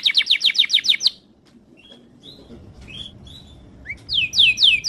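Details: Training song of a Timbrado canary: a fast burst of loud descending sweeps, a pause with a few soft whistled notes, then another quick rolling trill.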